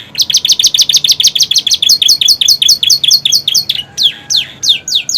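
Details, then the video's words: Captive canary in new plumage, singing a song that includes imitations of prinia and bar-winged prinia; rapid series of sharp down-slurred chips, about three per second, then slower, wider sweeping notes. "kenari romeo gacor isian prenjak ciblek"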